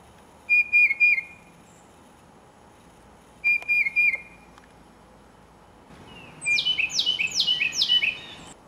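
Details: Tufted titmouse, with a Carolina wren nearby listening, sings two short bursts of quick, clear whistled notes, then a run of five loud, downslurred whistles repeated rapidly; the background is quiet.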